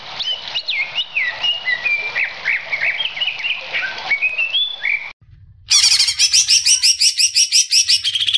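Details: Greater green leafbird (cucak ijo) song for training: varied jumping whistled phrases rising and falling over five seconds, a sudden cut, then a harsh, buzzy, rapidly pulsing high series.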